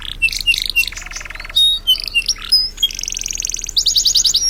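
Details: Champion canary from a bird contest in East Java, Indonesia, singing a varied song: high chirps and squeaky notes, then a buzzy low trill, followed by a fast rattling run and rapid repeated high notes.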